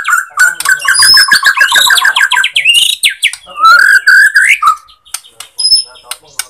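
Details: Borneo white-rumped shama singing as a lure to provoke other shamas into song: fast run of repeated chipping notes, rising slurred whistles, then a clear upward-sweeping whistle and sparse high notes.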